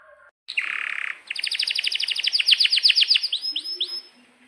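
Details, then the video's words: Canary singing in a long, energetic tutor-song recording: a buzzy rattling phrase, then a fast trill of rapid repeated notes, then rising swept whistles at about three per second. "Kenari GACOR PANJANG INI Cocok untuk Masteran KENARI PAUD dan Kenari Macet BUNYI"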